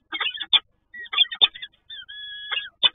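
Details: Peregrine falcon in Toruń, Poland, in its first moments with a newly hatched chick: a run of short, harsh, harmonic chattering calls broken by brief pauses, with a few thin, steady whistled tones near the end.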